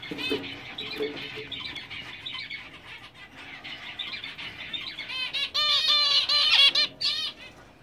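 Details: Captive English zebra finches, black face male paired with a dominant silver female: soft busy chatter at first, then a loud run of harsh nasal stacked notes and sharp downslurred chips in the final seconds.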